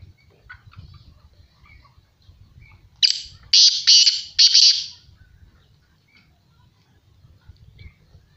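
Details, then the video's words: Kala teetar, the black francolin, calling once: four or five loud, scratchy, high-pitched notes delivered in a tight series lasting about two seconds, with only faint low rumble and silence around them. "Big voice Bird - Kala Teetar - Black Francoline"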